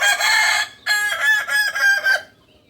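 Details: Kukuak balenggek rooster, a native chicken breed of Solok, West Sumatra, crowing: a loud held opening note, a brief break, then a run of about four choppy, stepped syllables that cut off after two seconds.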